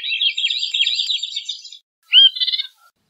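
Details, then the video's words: Veery singing: a rapid, rolling run of reedy notes held high for nearly two seconds, a pause, then a sharp upslurred note and a short trilled phrase. "Veery Bird Song, Sound, Call, Chirp, Melody - Zorzalito Rojizo Canto"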